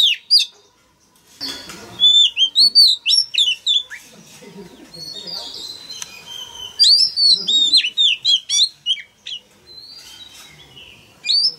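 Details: Long, lively performance by a male Oriental magpie-robin, with dense runs of ringing whistles, trills and chirps repeated in quick phrases. The song urges young birds to open up and sing.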